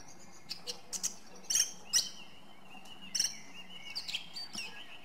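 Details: Song thrush (Turdus philomelos) singing: sharp, high bursts and short trilled phrases arrive every half second or so, with a steady background warble of other birdsong running underneath.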